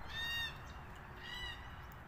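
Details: Red-tailed black cockatoos feeding on casuarina nuts; two drawn-out, slightly rising then falling ringing calls with rich overtones, the second softer, over a steady low background rumble.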